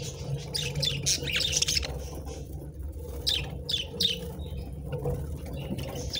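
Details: Budgies eating treats utter clusters of squeaky, warbling chirps in two bouts separated by a quieter gap, with a soft low hum throughout.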